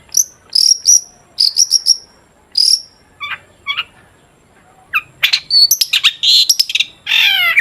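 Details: Long-tailed shrike singing in 'gacor' style as a lure to set shrikes singing: high whistled notes in quick groups, a few lower chips after a short lull, then a loud burst of mixed harsh and rising notes.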